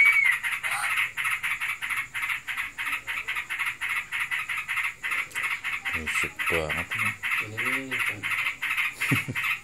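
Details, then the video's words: Yellow-vented bulbul, a pet in breeding condition, chattering nonstop in ngebren style with quick buzzy pulses, while a person's voice is heard faintly in the middle. "Burungku birahi. Ngebren abiss."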